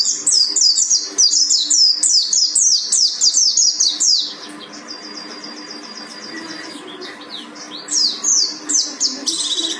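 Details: Pleci buxtoni, a mountain white-eye from Gunung Karang, bursts into rapid high twittering chatter, drops to a softer fast trill midway, then resumes loud quick chirps; faint low hum behind.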